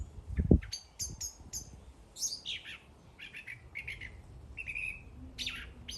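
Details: After a low thump at the start, a bird sings a varied string of high chirps, buzzy notes and descending whistles, phrases coming every second or so.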